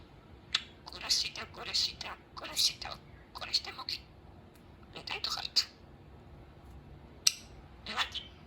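A budgerigar talks in quick, scratchy, whispery bursts of imitated words.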